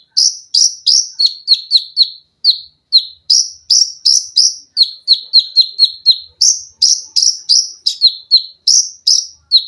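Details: Olive-backed sunbird (konin) in tembakan rapat, mesin jahit, lengkingan and besetan styles for tutoring cage birds: a dense, unbroken stream of piercing down-slurred chirps, several per second, on a clean background.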